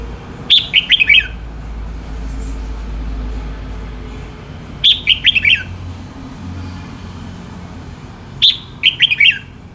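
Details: Red-whiskered bulbul song: three clear whistled phrases of rapid bouncy notes slurring downward, repeated roughly every four seconds, with a low rumbling background.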